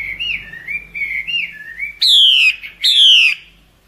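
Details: A wild female hwamei calling in the breeding season to lure males gives soft wavering warbled notes, then two loud, clear whistles that slide steeply downward, about half a second each.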